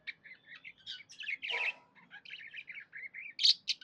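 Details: Happy pet budgerigar chirping: a continuous busy warble of short, high, scratchy chirps and twittering notes, with a louder harsh burst near the middle and sharp squeaky notes toward the end.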